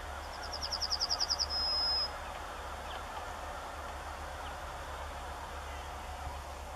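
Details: Yellowhammer in the UK, recorded with a Canon SX50HS camera: a quick run of about ten repeated high, buzzy notes that end in one long drawn-out thin note, followed by seconds of steady background hiss.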